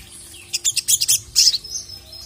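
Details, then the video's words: Ruby-cheeked sunbird singing to provoke a rival: a brief, fast volley of very high, sharp chirps and twitters in two clusters, clear over a quiet background. "KICAU SOGON GACOR MEMANGGIL LAWAN INI JITU BANGKITKAN EMOSI SOGOK ONTONG"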